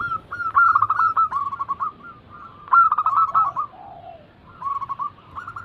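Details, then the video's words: Zebra doves in a singing-prompt recording: rapid rolling phrases of staccato coos, two bursts overlapping, with a lower, drawn-out falling note after the second phrase, then a quieter closing run. "Pancingan ampuh atasi burung perkutut yang sulit Gacor"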